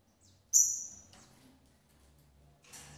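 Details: Female double-collared seedeater caring for her young at a breeder: a single sharp, very high whistled note held about half a second and tapering off, then a brief scratchy rustle.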